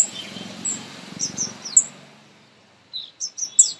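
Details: Baby birds being fed, recorded close up; short high-pitched chirps come in scattered bursts, some downslurred, with a pause before a final cluster of three or four sharp notes over a faint low hum.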